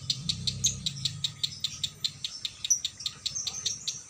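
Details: Caged female lovebird at a bird shop in konslet style, long continuous song: fast, steady, high clicking chatter of about two and a half notes per second with brief squeaky trills, and low rumbling early on.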